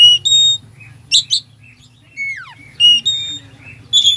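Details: Oriental magpie-robin, known locally as kacer, giving full isian song to rouse a sluggish bird: high steady whistles, harsh chattering bursts and a descending slurred whistle, with a constant low hum.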